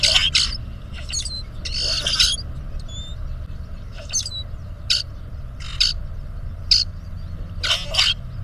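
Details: Male grackles competing for a female's attention with puffed-up displays, filmed by a bird camera: clusters of scratchy, squealing bursts and brief thin whistles at irregular intervals over a steady low background rumble.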